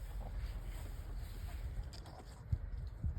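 Low rumbling wind buffeting the microphone, with no animal voices heard.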